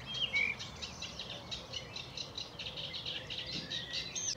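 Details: Sedge warbler singing in Essex meadows near Laindon on a hot day, 19 May 2018: a fast, scratchy, run-on chatter of varied notes with a few thin whistles, over soft outdoor background noise.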